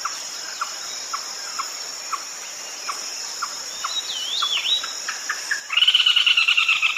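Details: Red-legged crake call used at night for luring: spaced, low, clipped notes, a couple of thin swooping whistles, then an abrupt loud, fast, rasping chatter, all over a constant shrill insect hum.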